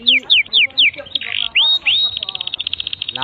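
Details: Canary tutor song for training young canaries: four loud downslurred whistles, a rising sweep, a sustained high note, then a quick run of clipped trill notes.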